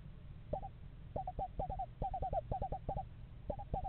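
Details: Pair of screech owls house shopping at a yard nest box in November; scattered short hooting notes in pairs and small groups, softer and more spaced than a full trill, over low rumble.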